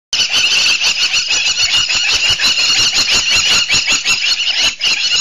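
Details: Egyptian plovers at a waterhole give a dense run of sharp, high, squealing calls, rapidly repeated and overlapping with almost no pause.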